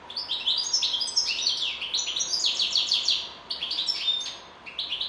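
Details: Continuous goldfinch twittering, jumbled high chirps and slurred notes tumbling in quick bursts, with a short pause near the end before the song resumes.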